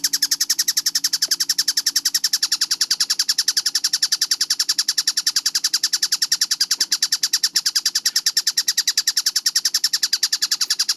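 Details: Kingfisher (tengkek buto) recorded as a clear, fast-paced training track for cage birds. It gives an unbroken run of sharp, harsh notes, about three or four each second, steady and even throughout.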